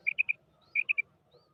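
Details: Female quail calling: two quick groups of three sharp, clipped whistled notes, each group lasting about a quarter second, with a short pause between them, over a faint low background hum.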